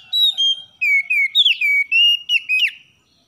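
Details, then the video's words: Oriental magpie-robin's morning song for encouraging caged birds to sing: a steady string of loud, clear whistled notes, each about a quarter second, wavering slightly in pitch before fading out. "MASTERAN KACER JUARA DI PAGI HARI || Merangsang Kacer Malas Jadi Buka Paruh"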